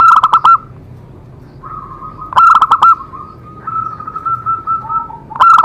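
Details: Zebra dove song meant to make other doves sing: loud stuttering coo bursts at the start, middle and end, separated by long, smooth, steady trilled notes.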